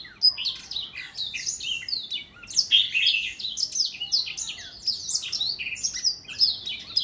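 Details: An older black-throat in full song, 2021: a steady torrent of high, bright chirps, buzzy trills and quick swooping notes, varied and continuous throughout.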